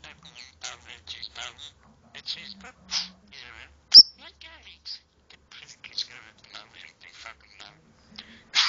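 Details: A pet budgerigar known for swearing and talking a lot chatters in a thin, raspy voice, rattling off mimicked human words among quick warbles.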